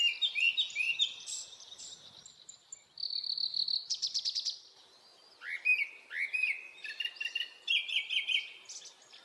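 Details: Japanese thrush singing in an early-summer forest in Hokkaido: varied phrases of clear, slurred whistles mixed with high trills and a buzzy rattling section, in quick bursts with short pauses.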